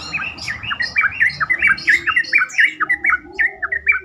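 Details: Yellow-vented bulbuls pouring out a bubbly, chattering song of short rising and falling notes, about two a second, overlapping from more than one bird; used to provoke other bulbuls into answering.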